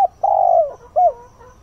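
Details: A decoy spotted dove coos in the early morning to attract wild doves. A long, steady, throaty coo tails off downward, followed by a short arched note and a faint lingering tone.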